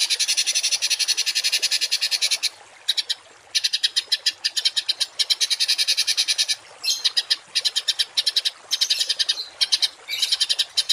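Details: Songbird giving a 'tembakan kasar' masteran sequence for mastering kept songbirds. Long runs of harsh, rapidly pulsed rasping notes are broken by brief pauses throughout.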